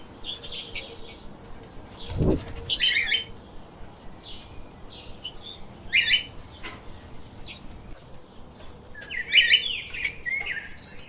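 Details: Lovebirds, small pet parrots, chirping in scattered clusters of sharp, scratchy notes spread across the stretch, with a brief low thump near the start and steady background hiss.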